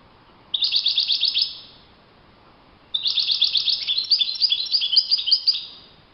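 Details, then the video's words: Wild European goldfinch singing in open nature: a short burst of bright, liquid twittering, a pause of about a second and a half, then a longer, faster run of tinkling, jangling notes over a quiet background. "chant chardonneret le Roi de la nature- Le chardonneret en pleine nature"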